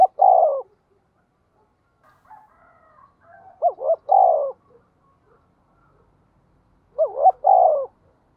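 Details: Spotted dove call used as a lure for wild birds: a hoarse cooing phrase of a short double note and a longer drawn coo, given three times at roughly three-second intervals, with faint soft coos in between.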